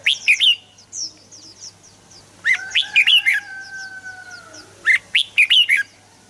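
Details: Red-whiskered bulbul, recorded to prompt other birds to sing, delivering three crisp bursts of rapid, rising-and-falling whistles about two seconds apart, with soft high chirps from other birds and a low steady hum between.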